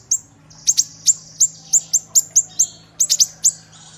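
Kinoi giving sharp, very high chirps, about a dozen in four seconds at an uneven quick pace, some in tight clusters, over a faint low hum.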